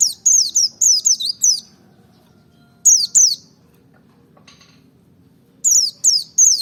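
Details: Merapi ngalas white-eye singing to provoke rivals: bright, fast sequences of high falling chirps, a brief two-note phrase mid-way, then a renewed burst, with quiet gaps between phrases.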